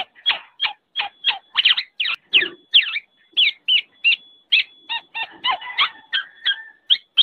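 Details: Black-naped oriole calling in quick, rough, descending notes, grouped in tight runs with brief gaps. A thin constant tone sits under the calls.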